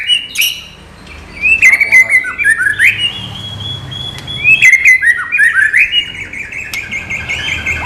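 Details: White-rumped shama, non-bubbling training-material song: two similar bursts of looping, bending whistles, each ending in a sustained high whistle, separated by a short quiet pause.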